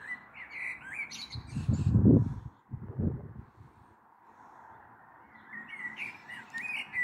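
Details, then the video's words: Evening song of a common blackbird on 21 April 2022, recorded from a balcony with a storm possibly approaching: warbled fluted phrases with high twitters at the start and end, and loud low rumbling bursts in between. "Sehr schöne Amsel mit Gesang am Abend"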